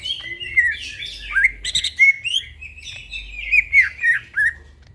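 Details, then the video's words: Night-time song of a greater green leafbird, a continuous flowing warble of rising and falling whistled slurs mixed with buzzy chatter, varied and unbroken, with a low background hum. "burung cucak ijo bunyi tengah MALAM GACOR"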